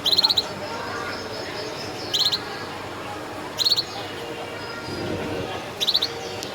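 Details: Gloster canary, described as a clear-voiced singing breed, giving four short, bright chirp bursts roughly every one and a half to two seconds over a steady background hiss.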